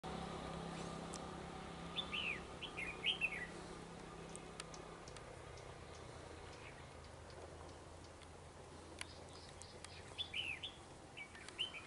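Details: Red-whiskered bulbul during trapping, rival fighting display; two short bursts of quick warbled, chirpy phrases, near 2 and 10 seconds, over a steady low hum and background noise.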